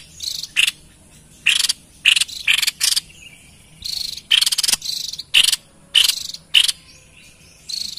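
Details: White-chested babbler singing actively, a recording meant for drawing out and luring wild birds: short harsh buzzy bursts, high and broadband, given in quick irregular clusters with brief pauses between.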